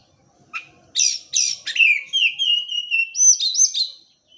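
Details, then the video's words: Oriental magpie-robin song to stimulate birds that stay silent: a few sharp buzzy notes open it, then a fluid run of sweet whistled notes about twice a second, finishing with higher looping phrases. "PANCINGAN KACER MALAS BUNYI,, LANGSUNG NYAUT"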